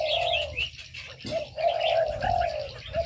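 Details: Caged aviary birds giving drawn-out, low hooting notes that waver slightly in pitch, with quick high chirps and trills mixed in.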